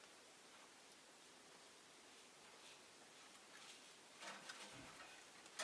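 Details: Quiet, even hiss like falling rain, with a few soft rustles and one brief thump toward the end, and no bird voice.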